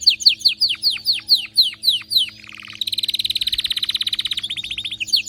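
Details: Excited canary singing hard: a run of sharp, down-sweeping whistled notes gives way to a brief low buzzy burst, then a long, very rapid rolling trill, closing with another slurred note.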